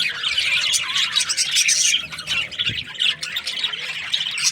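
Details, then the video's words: Budgerigars, Australian parrots, chirping together in a busy, continuous chatter of high, scratchy twitters and squawks that overlap throughout, rising and falling in loudness without pause. "Australian parrot Budgies chirping sounds"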